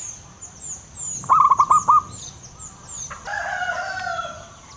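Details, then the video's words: Loud-voiced male local zebra dove delivers one quick run of five clipped, mid-pitched coos, then a longer, lower drawn-out tone, while thin high chirps sound in the background. "burung perkutut lokal jantan gacor suara besar"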